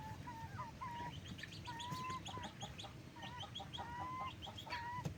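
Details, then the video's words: Backyard chickens, raised and fed during the day, give clear tonal calls near one pitch, some flat and drawn out, others short and bent, repeated irregularly over a steady low rumble of background noise. "wild chicken breeding feed them during the day"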